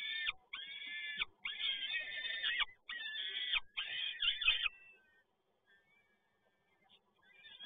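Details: Peregrine falcon at PGE Toruń, 7 May 2022, male arriving with another delivery: a rapid series of loud, grating wailing calls for about five seconds, then near silence with a faint call at the end.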